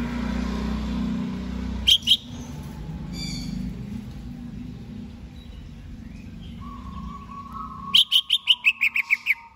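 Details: Greater green leafbird being readied for a singing contest: a few sharp high chirps early on, then a quick run of bright, slightly descending notes near the end, over a steady low hum.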